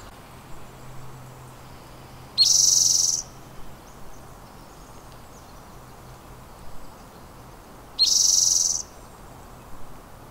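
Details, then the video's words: Spotted towhee at the Squamish River Estuary giving a dry, buzzy trill of under a second, with a brief lead-in note. The trill is repeated once about five seconds later against a quiet background. "Spotted Towhee"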